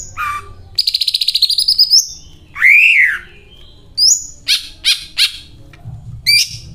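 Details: Greater green leafbird in full song with cililin imitations: a rapid, even rattle of high notes sliding upward, a loud arching slurred whistle, then several sharp rising whistles and crisp metallic chips.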